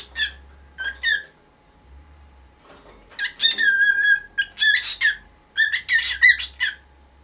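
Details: Nineteen-year-old house cockatiel clamouring at dawn for the cloth on its cage to be pulled aside: scattered harsh squawks build into a long, wavering screech and choppy bursts, with a faint low hum behind.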